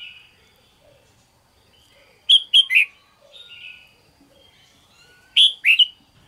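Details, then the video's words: Bulbul of the red-whiskered kind giving its morning 'ché' song: soft chirps, then a loud phrase of three quick whistled notes, a gentle warble, and the same three-note phrase repeated about three seconds later. "chào mào hót sáng QUÁ HAY - CHÉ KÍCH BỔI CĂNG ĐÉT"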